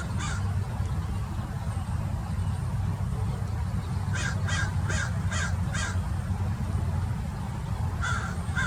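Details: Wild American Crows harassing a Peregrine Falcon perched in a tree in Irvine, Orange County, California: scattered hoarse caws, then a burst of five evenly spaced rasping caws, over a constant low background rumble.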